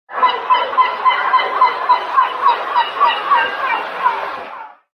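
A gull gives a fast run of about fourteen harsh, nasal, laughing notes at a steady pace of three per second. The series fades slightly towards the end.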